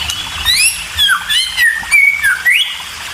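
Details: White-rumped shama chicks, always hungry, calling while being fed by a parent; loud sliding whistled squeals rising and falling, repeated several times in quick succession over steady background hiss.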